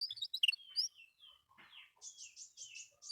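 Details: Canary master song played to train pet canaries to sing: a varied burst of high, sharp chirps and slurred whistles, a short pause with a softer buzzy note, then a rapid rolling trill of high notes.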